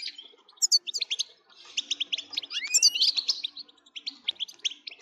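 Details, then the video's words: Goldfinch song aimed at getting other goldfinches to sing; tinkling, rapid chirps with a long upward-sweeping whistle in the middle, then more quick twittering. "لتهييج الحسون ستجعله يغرد من دووون انقطاع"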